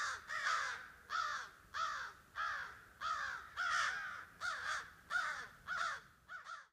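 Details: Over a dozen agitated crows calling above a hilltop clearing in woodland, possibly near a roost, reacting to a person walking up; steady series of about ten loud, hoarse, downslurred caws in under seven seconds.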